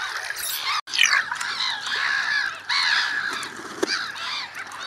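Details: Many gulls calling in early spring, long swooping cries and harsher squeals layered together, with a sudden brief silence near the start before the chorus resumes.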